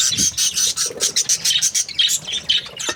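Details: Budgerigar breeding pairs chirping happily: dense overlapping chatter of scratchy, warbling high chirps and squawky notes, nearly continuous, from several birds.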